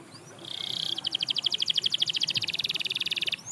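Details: Sustained, fast, even, pulsing canary trill on one high pitch, held for about two and a half seconds. The song is said to encourage other canaries to start singing again.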